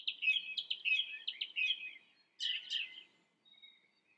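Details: Song thrush in song, several short fluttering phrases repeated in a rapid run, then a louder double phrase, followed by a faint thin whistle.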